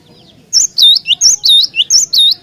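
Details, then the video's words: Cinereous tit in strong song, played to provoke other tits into singing. Loud high two-part notes, a short note followed by a longer swooping one, repeated in quick succession, about three pairs per second. "Jika Glatik Batu Anda Di Pancing Dengan Kicauan Glatik Batu Gacor Ini"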